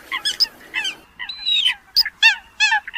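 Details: A few Eurasian coots trade short, nasal, honking notes and one longer, wavering, drawn-out call, in separate bursts with brief gaps.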